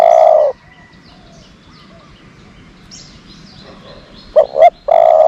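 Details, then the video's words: Decoy dove for luring doves: a long low coo at the start, then a quiet pause with faint distant chirps, before a double-pulsed note and another sustained coo close the clip. "นกต่อ เสียงนกต่อ"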